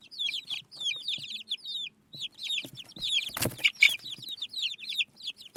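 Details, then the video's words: Desi murgi chicks feeding on rice, chirping in quick high descending peeps, many birds overlapping, with a loud brief clatter of pecking or handling noise partway through. "Tot Murgi Chicks Chirping Sounds | Desi Murghi Baby Chicks Eating Rice"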